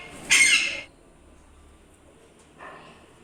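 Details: One of a pair of rose-ringed parakeets playing together gives one loud, harsh screech lasting about half a second, followed near the end by a quieter, rougher squawk.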